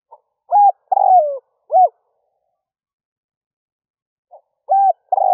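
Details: Spotted dove used as a lure bird, cooing at dawn to call wild doves. A brief soft note, a level coo, a long rolling descending coo and a short arched note, with the phrase starting again after a pause.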